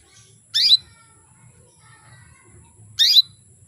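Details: Female canary calling to arouse males and stir them into full song; two short, bright chirps about two and a half seconds apart, each a brief squeaky burst, with near silence between.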